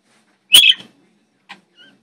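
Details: Pet parakeets, the blue one chirping and screaming, recorded on an HTC Sensation phone: one harsh, scratchy shriek lasting a fraction of a second, followed by two brief, faint chirps, in an otherwise quiet room.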